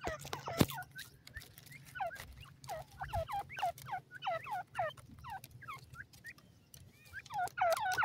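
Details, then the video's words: Grey francolins (teetar) in a forest give rapid, harsh, overlapping squeaky notes that curve downward, several each second, over a steady low background hum. "teetar song"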